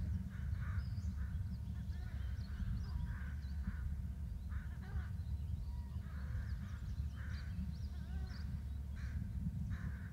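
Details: Adult bald eagles calling to each other at a nest: a series of short, harsh, repeated notes, some with thin high chirps above them, every second or so over a steady low rumble.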